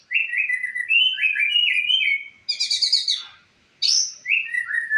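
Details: Murai, the white-rumped shama, singing for use as a master recording to teach other birds: continuous warbled mid-pitched phrases, then a harsh buzzy burst, a short silence and a high downslurred note before more warbling.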